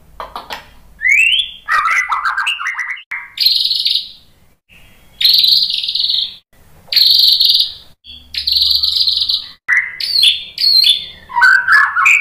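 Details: White-rumped shama singing to provoke other shamas to sing: varied whistles and warbles alternating with long buzzy, scratchy high notes, phrases separated by short silences.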